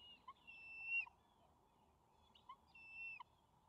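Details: Juvenile bald eagles at a nest on May 28, 2020, as their father delivers a fish: two quiet, high, whistled calls, each a short rising note before a longer level squeal, about two seconds apart.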